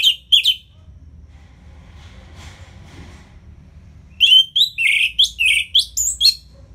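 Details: Ngeplong song of an Orange-headed thrush, intended to make idle birds sing: two quick notes, a quiet stretch of about three seconds, then a fast sequence of varied, bright whistles and rasps.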